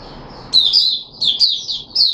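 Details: Puteh Raja, a caged red-whiskered bulbul recorded 13 April 2021 in a feeding trial, gives three short, rich warbled phrases, each a quick rising-and-falling flourish, with quiet hum underneath.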